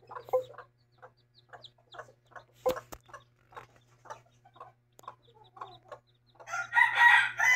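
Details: Brooding mother hen clucks softly in quick, irregular bursts beside her chicks, a couple of sharp knocks partway through, then a louder, harsher squawk at the end.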